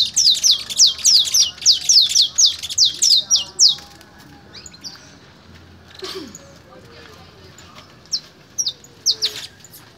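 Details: Canary fogueo in Pelaya, Cesar: a loud series of about twelve rapid, high downslurred notes opens, followed by quieter background and a few isolated sharp chirps near the end.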